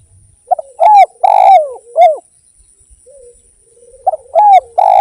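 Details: Spotted dove (derkuku) in full song, recorded as a lure to set other doves singing: two phrases of a short double note, then a long rough coo falling in pitch and a final downslurred coo, with a pause between phrases.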